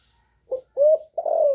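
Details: Spotted dove hen calling to excite males: a brief soft note, then two drawn-out, mellow coos, the last slightly wavering and held.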